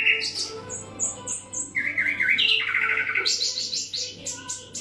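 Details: A wild-caught common nightingale, kept caged for a year and fed special nightingale food, sings varied phrases of sharp whistles, rapid trills and bright chirps in quick succession.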